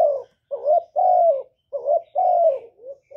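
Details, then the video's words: Close, loud spotted dove song recorded without noise to stimulate caged doves. Hollow, drawn-out coos alternate with shorter wavering notes in a rhythmic pattern. "Cu gáy lớn tiếng, không tạp âm, giọng hay dễ mở, cu gáy kích bổi, cu gáy đi bẩy, cu đất gáy, cu cườm"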